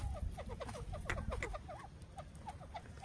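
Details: Grey francolin family playing in loose mud, giving soft, low clucking notes in a quick, steady patter, about eight per second, over a noisy rumbling background.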